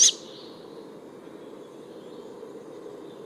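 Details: A juvenile tawny owl gives two short, harsh, hissing screeches, one at the start and one at the end, with a faint background hum between them; young birds call like this from March to May in woods, parks and gardens.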